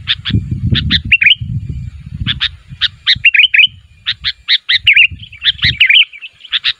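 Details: Sooty-headed bulbul calling to draw answers from other bulbuls, giving rapid clipped chirps and liquid rolling phrases in quick clusters, with low rumbling noise early on that fades to near quiet.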